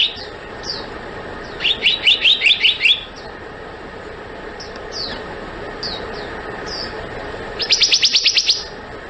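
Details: Black-naped monarch giving two fast trains of high, ringing, upslurred notes several seconds apart. Scattered soft downslurred chirps and a steady low hum fill the gaps.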